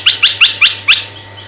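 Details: Red-eyed bulbul song used as a lure for male and female bulbuls: five sharp, harsh chirps in quick succession, each sliding upward, then a faint trailing note over a steady low hum.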